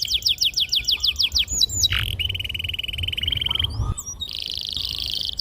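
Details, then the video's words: Young-canary training song from a domestic canary: a series of rapid descending high whistled notes, a sharp dip, then a long even rattling roll and a dense high buzzy trill, sung continuously and loudly. "PANCINGAN KENARI GACOR PANJANG || PANCINGAN KENARI PAUD BELAJAR BUNYI"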